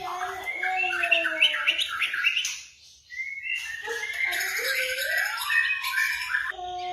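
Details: Varied white-rumped shama song played to stir a silent bird into answering, morning or afternoon; layered whistles and fast chattering phrases, a brief pause near the third second, then rising slurred whistles and a buzzy finish.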